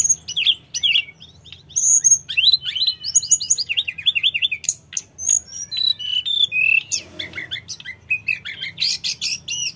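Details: Energetic tledekan gunung, the sooty-headed bulbul, in continuous song meant to draw replies from untrained birds; dense high chirps, twittering slurs and brief trills run almost without break.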